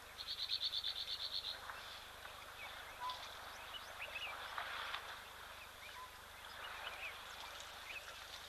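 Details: At a waterhole in Tembe Elephant Park, KwaZulu-Natal, South Africa, a Little bee-eater gives a quick burst of about a dozen thin, high ticking notes, then scattered sharp chips over steady insect hiss and other birds.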